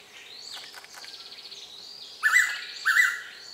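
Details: A tame Blue-winged Pitta, a wet-season breeding visitor at Kaeng Krachan National Park, Thailand, calls from a nearby tree: a loud, clear, slightly quavering two-note whistle, notes half a second apart, over thin chirping of other birds.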